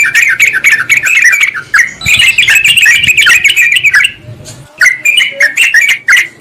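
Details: Sooty-headed bulbul calls played to lure a wild rival, dense chattering bubbly notes running almost continuously, with a harsher busy stretch in the middle and a short gap before more quick whistled phrases.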